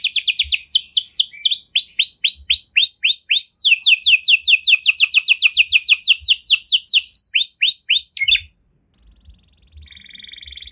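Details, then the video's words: Canary performing a 'cengkok mewah' luxurious song meant to set off other canaries: arched whistled notes, a long rapid descending trill, more swooping whistles, then a pause and a faint steady tone. "Burung Kenari Mana Saja Pasti Ikut Gacor Setelah Dengar Kenari Cengkok Mewah Ini"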